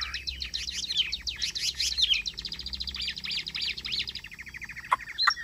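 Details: Chinese hwamei singing well in its cage: a dense, tumbling stream of rapid high twitters and trills, ending with a couple of sharp clicks.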